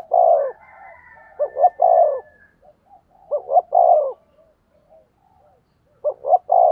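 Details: Cooing duel of a decoy spotted dove luring wild birds. Phrases of quick stuttering notes lead into a full, low, falling coo, repeated three times about two seconds apart. A faint higher whistle sounds at the start.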